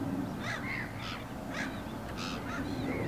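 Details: Eurasian coots, a pair tending and feeding little chicks; a run of short, sharp, slightly nasal calls follows in quick irregular succession, some dipping and rising in pitch, with a constant low hum beneath.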